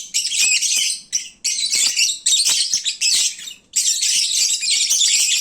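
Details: Drowsy lovebirds after eating at midday, their noisiest time: shrill, jumbled chirping that comes in bursts of about a second, separated by brief lulls, building to a longer stretch near the end.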